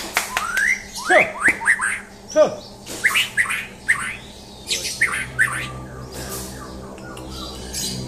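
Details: Champion white-rumped shama tested for mental strength, opening with quick upward-sweeping whistles and sharp notes, then a string of clipped, scratchy phrases that fade toward the end, over a faint hum.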